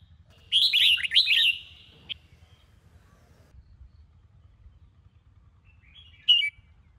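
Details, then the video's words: Red-whiskered bulbul of the Sông Kôn strain, trained to sing in the morning, gives one dense, rich warbled phrase lasting about a second, then a long quiet gap and a single brief chirp near the end. "Chào Mào Sông Kôn - Luyện Giọng Hót Hay | Luyện Chào Mào Bổi Hót Sáng"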